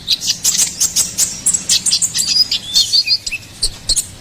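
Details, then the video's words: Ruby-cheeked sunbird in energetic gacoran-style song, used as a master tutor and lure for songbirds: rapid high, thin chirps and short whistled slurs, densely packed in a quick unbroken stream over a faint low hum. "SUARA GACORAN KONIN KOLIBRI NINJA"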